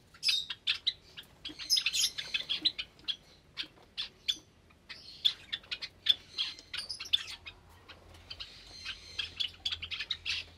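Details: Caged Java sparrows, a flock with recently hatched chicks, on a Sunday morning in May 2022, giving dense, busy chirping: rapid high clicks and bell-like chips overlapping almost without pause.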